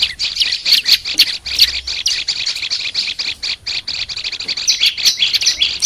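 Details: Olive-backed tailorbird used for song training: continuous bright, high-pitched chirping notes, some squeaky and uneven, repeated rapidly throughout without a break.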